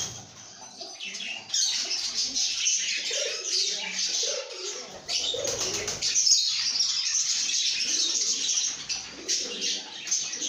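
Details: Lovebirds chattering in a good mood: after a quiet start, a sustained chorus of high, buzzy twittering and piercing squeaks, with soft lower warbles underneath.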